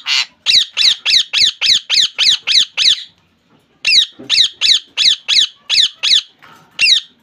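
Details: Pet rose-ringed parakeet in Bangladesh screeching in rapid runs, about ten harsh squawks in three seconds, a short pause, then another fast series of grating calls.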